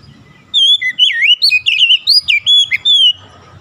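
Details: Oriental magpie-robin singing to trigger any other magpie-robin to join in: an unbroken three-second phrase of bright, twisting whistles and quick warbled slurs, with faint low background hum before and after.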